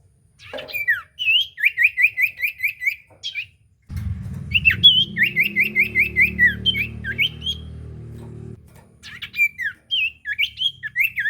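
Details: Common iora song meant to provoke a silent bird to sing: fast series of clear whistled notes repeated in quick trills, a loud low rumbling noise in the middle section under the whistling.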